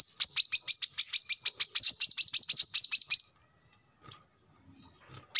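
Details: Brown-throated sunbird, used as a lure and as a song model for training birds, giving a fast run of high, sharp chirps about three seconds long, then a short pause and a few scattered notes.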